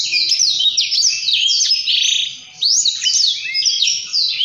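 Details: Blackthroat in full gacor ngerol rolling song: a dense stream of high, sharply descending whistled slurs. A brief dip in the flow falls midway, then the bird resumes strongly.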